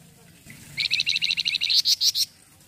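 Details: Lively flamboyan song meant for tutoring white-rumped shamas: a quick series of bright, high, repeated notes that rise slightly in pitch and close with several strong, sharp chips.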